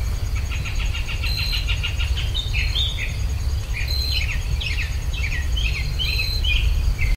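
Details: Birds singing in rural Virginia, captured with stereo ultrasonic microphones: a quick run of evenly spaced ticking notes opens, then a string of sharp, slurred chirps and brief whistles follows over a constant deep background hum.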